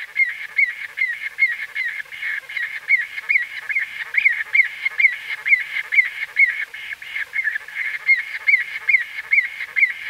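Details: White-fronted bee-eaters recorded close up give short, squeaky, nasal notes in quick, uneven succession, over two a second. Several birds seem to call together.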